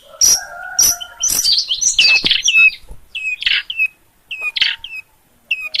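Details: Long-tailed shrike from Gunungkidul, Yogyakarta, singing actively: a varied phrase of harsh chatter mixed with tonal notes, then softer, spaced whistled chirps fading toward the end.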